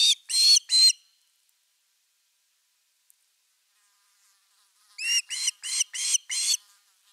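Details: Ospreys at a Finnish nest camera (nest 3) on 30 August 2021 at an evening fish delivery give shrill whistled chirps with a rising lilt: three quick notes, a pause of about four seconds, then six more in a steady run.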